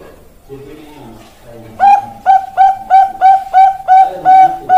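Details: A man speaks briefly, then a Bangkok-type zebra dove takes over with a rapid series of loud, evenly spaced cooing notes, about three per second.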